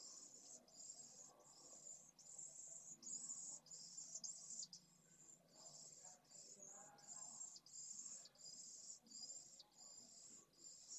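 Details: Food-begging pallid swift chicks in a nest at Esclavas de Jerez, Jerez de la Frontera, 8 September 2022, on a live nest cam: sustained high, buzzing trill chopped into bursts about every second, faint rustling below.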